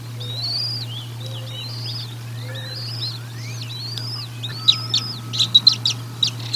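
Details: Bald eagles being fed at the Decorah North nest, 1 April 2022, nest-cam sound: a series of high, bent chirps roughly once a second, ending in a quick burst of sharp clicks and ticks, with a low hum throughout.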